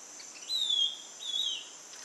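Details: Ringed antpipit (Corythopis torquatus) call: two thin, high whistled notes, each slightly falling, about three-quarters of a second apart, over a steady high insect hiss.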